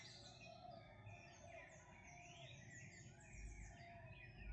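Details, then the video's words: Several wild birds singing in the morning, with overlapping whistled phrases and rising and falling sweeps through the clip over a low rumble of background noise. "sonidos de las aves en la mañana"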